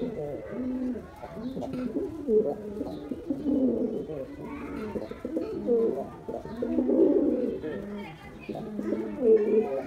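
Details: Performing male white domestic pigeon; deep, warbling coos come in irregular bursts layered over other pigeons' cooing, with muffled background sounds.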